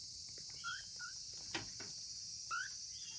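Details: Single African grey parrot chick, August 2020 hatchling at a breeder, sounding lonely by itself: thin rising whistles, two close together then one more after a soft knock, over continuous hiss.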